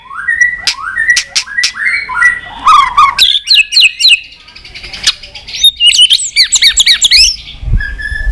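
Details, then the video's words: Competition song of a white-rumped shama with many voices: a series of rising whistled slurs, then a dense run of quick rippling notes and rapid high trills, delivered loudly and continuously. "chòe lửa hót nhiều giọng kích bổi hót đấu"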